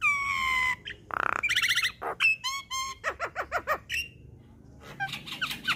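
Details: Javan myna training track for young birds, with rich fill-ins. A long falling whistle and buzzy blasts give way to a quick string of sharp, bouncing chirps.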